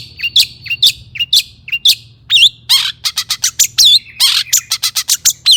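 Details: Long-tailed shrike, agitated song for provoking other shrikes: repeated scratchy notes with upturned whistled tails, followed by a rapid series of sharp high chips and squeaks.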